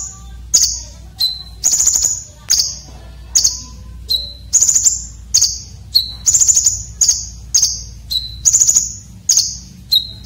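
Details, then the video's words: Coarse, sharp fill-in of a red-breasted konin, meant for training competition birds. Ten seconds of repeated high, rattling bursts and brief flat whistles in a steady, rhythmic sequence. "KONIN Dada Merah isian Kasar tajam"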